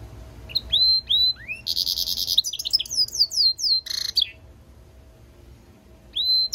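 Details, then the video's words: Song of a European goldfinch mule, a goldfinch hybrid: high rising whistles, then a dense buzzy trill, a string of quick down-slurred notes, a short rattle, a pause and another rising whistle. "European Goldfinch mule singing - Jilguero Mixto"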